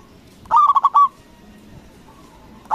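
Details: Zebra dove, a local Indonesian perkutut kept for its loud, vigorous voice and used to lure rivals into answering. It gives one rolling coo of quick throbbing notes ending in a held tone, and the start of a second coo cuts in at the end.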